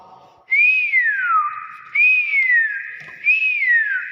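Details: Common hill myna repeating a pure rising-then-falling whistle three times, roughly every one and a half seconds, each note ending in a held tone. A faint voice is heard before it.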